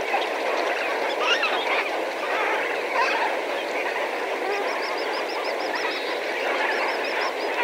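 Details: Lesser Flamingos, several thousand birds calling as a flock at medium distance: a dense continuous wash of honking, goose-like chatter with a few higher wavering notes rising above the din.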